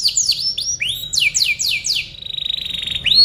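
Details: Canary song recorded to tutor other birds. Varied swooping whistles and steep descending slurs, then a level, steady trill that ends on a clear rising note.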